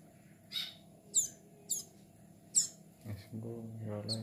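A Bar-winged prinia chick gives four sharp, high squeaky chirps about once a second. A human voice takes over near the end.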